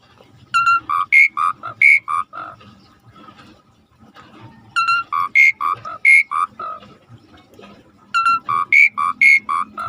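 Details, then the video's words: Asian pied starling tutor song: the same phrase of about nine clear, alternating high and low whistled notes repeated three times, roughly every four seconds. "Suara jarak Suret gacor /the sound of the starling suret gacor masteran"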